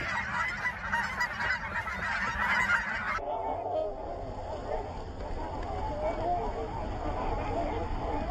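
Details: Geese being chased take off together, honking in a rough, continuous chorus. Steady wind-like noise runs beneath the calls, and the sound dulls partway through.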